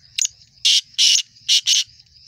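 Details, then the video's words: First-season young male black francolin calling, opening with a short clipped note and following with four strong, grating syllables in paired rhythm; a faint high insect buzz runs underneath throughout. "کالا لکا پٹھا پہلا سیزن ماشاللہ زبردست چل بلائی اور اسپیڈ"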